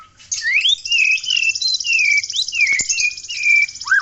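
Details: Aceh white-rumped shama singing hard, giving a string of clear whistled notes that slide up and down and are spaced about half a second apart, over a steady high hiss.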